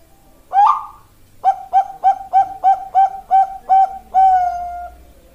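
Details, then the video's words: A female Bangkok-type zebra dove calls for a male: a swelling, slightly rising opening coo, then nine brisk, even coos, finishing with a long held note that fades slowly. "Master dan Pancingan Perkutut Bangkok"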